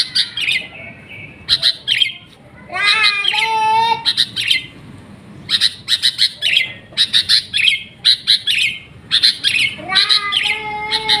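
A sooty-headed bulbul gives bright, chattering bursts of high notes in quick clusters, with a few lower, nasal, rising squawky phrases mixed in.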